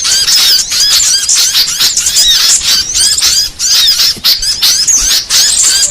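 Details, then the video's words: Trapping lure sound for small birds: high, excited twittering from a crowd of birds in pulsing bursts, with brief dips between waves of squeaky chirps and thin whistled notes. "Suara paling ampuh pikat segala jenis burung kecil"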